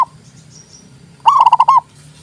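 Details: Single zebra dove song phrase: a brief rolling burst of about six rapid, mellow pulsed coos after a quiet start with low background hum.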